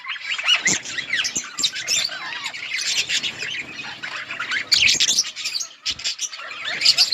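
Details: Feeding budgerigars in an outdoor colony give a busy flock chatter of buzzy squawks, squeaky whistles and warbles, with sharp clicks scattered throughout.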